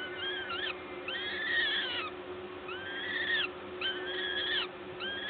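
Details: Peregrine falcon nest at LOTOS, Gdańsk, 14 May 2022 at 11:07, a parent feeding: long, nasal, strained wails with stacked harmonics, several in a row with short gaps, against constant mechanical hum.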